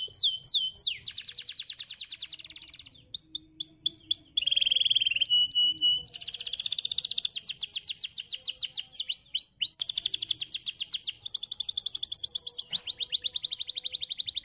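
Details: Canary song meant to stimulate other canaries to sing, a long varied run of rapid trills and rolls that switches between high and lower pitches every second or two, with buzzy and whistled tours and no pauses.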